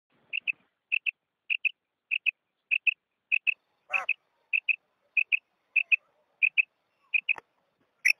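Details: Female quails give a steady string of high, clipped double notes about every half second, with a couple of brief clicks and knocks. The recording reportedly holds the calls of about a hundred females.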